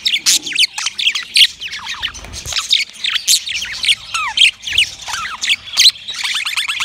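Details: Yellow male budgie's mating chatter: quick rippling chirps, descending whistled notes and harsh clicks in an unbroken flow, ending in a rapid trill-like run of notes.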